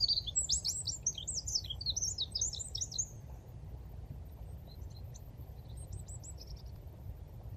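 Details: Mating song of a Eurasian wren on 17 February 2023 in the Dnipro river floodplain at Konche-Zaspa, Kyiv, Ukraine: a fast, high, tumbling run of sharp trilled notes lasting about three seconds, then fainter high notes, over steady low rumble of city noise.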